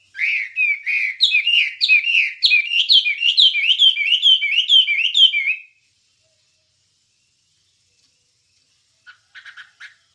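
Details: Wambie song for training songbirds: over five seconds of quick, repeated, whistled notes that rise and fall, about two per second, followed by a long quiet gap and a few faint chips.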